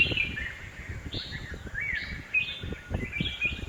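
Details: Red-whiskered bulbul in a home garden in Hosur: short, fairly faint whistled phrases with rising and falling notes repeated about once a second, over steady low background rumble.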